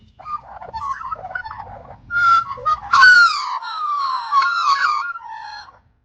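A magpie gives a run of rich, warbling whistles, with rising and falling flute-like notes and a few harsher bursts over about five seconds.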